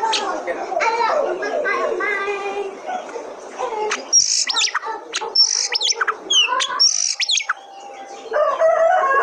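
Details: Oriental magpie-robin song used as a lure to set other kacer birds singing: loud whistled notes sweeping up and down at high pitch in the second half, after a stretch of voices and rough harmonic sounds.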